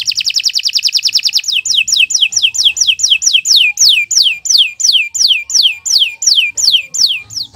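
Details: Canary song used as a model for young birds: a very fast trill, then a steady series of descending whistled notes repeated about every quarter second.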